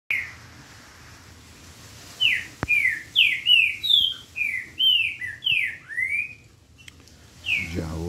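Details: A Green-winged saltator (Saltator similis) sings a rich, quick phrase of about a dozen clear, down-slurred whistles, with another phrase starting at the end, over a faint low background hum.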